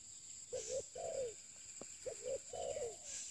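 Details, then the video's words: Spotted dove, used for luring, uttering two clear phrases. Each is a quick double coo followed by a longer, falling, hollow note, about a second apart. A single click and a steady high whine are also heard. "pikat terkukur"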